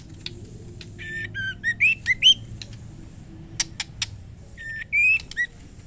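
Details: Female white-rumped shama calling to the male, a series of short whistled notes and rising slurred phrases around the middle range, some notes clear and ringing, separated by brief sharp clicks, with a low steady hum underneath.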